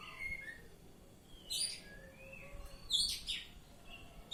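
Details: Oriental magpie-robin singing ngeplong: thin whistles alternate with loud, harsh, buzzy high bursts in pairs and triplets, roughly every second or so, against quiet low noise.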